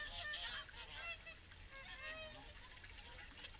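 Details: Flock of swans calling during an evening feed at WWT Caerlaverock, continuous overlapping trumpeting honks from numerous birds, some brief higher notes, with a constant low murmur beneath.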